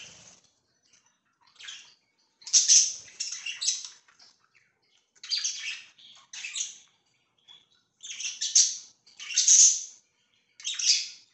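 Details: Pet budgerigars giving scratchy, buzzy chirps in separate bursts every second or so, with a few soft twitters and quiet gaps between the louder phrases.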